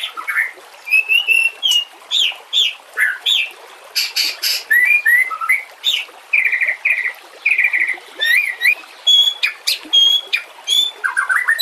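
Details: Master recording of white-rumped shama song for training other shamas, with nature sounds and trickling water added. Short bursts of harsh chatter alternate with clear curving whistles in a lively, ever-changing sequence of phrases.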